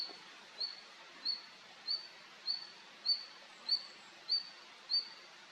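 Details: Male red-flanked bluetail calling: a short, thin, high note repeated steadily about every 0.6 seconds, eight times, over a constant soft background hiss.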